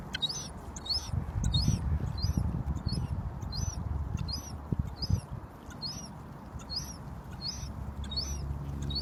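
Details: Gull chick asking its mother for food, which throws it food: high, thin peeps repeated steadily about twice a second, each with a short upward flick, over low rumbling background noise and knocks.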